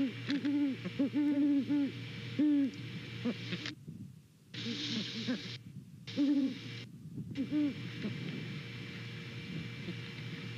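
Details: Paired Great Horned Owls hooting back and forth at a Savannah nest on a November morning; clusters of deep, steady hoots in the first seven seconds, broken by brief silences, with a constant low electrical hum beneath.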